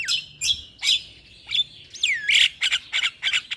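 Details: Chatty Javan myna song used as a stimulus for a silent bird: harsh squawks mixed with clear whistles and a downward swooping note, followed by rapid buzzy chattering bursts.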